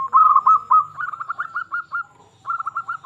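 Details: Local zebra dove song for stirring other doves to sing: fast rippling series of soft coo notes, a rolling run rising slightly, a pause, then another quick burst.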